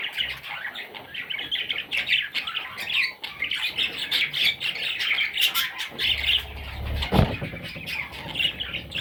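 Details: Little parrot chicks squawking in a busy, rasping chatter, joined later by low rumbling noise and a sharp knock near the end.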